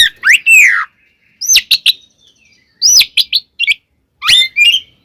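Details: Kacer, Oriental magpie-robin, in provoking fighting song: bright upward-sweeping whistles and quick chipping notes delivered in short loud phrases with brief silences between.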